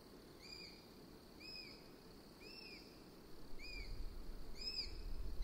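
A Eurasian sparrowhawk gives a series of shrill, slightly arched 'kew' notes, roughly one per second, over low rumbling background noise that grows louder.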